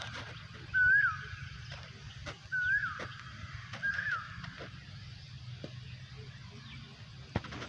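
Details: Loud Asian koel calls from a rubber plantation: three upslurred whistled notes that fall away at the end, about one and a half seconds apart, with faint clicks and a low hum behind.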